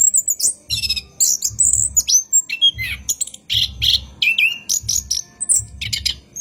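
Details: Nighttime lure recording of an orange-headed thrush for training caged birds: loud, busy high-pitched phrases mixing buzzy notes, clear whistles and falling slurs, backed by rhythmic low thumping.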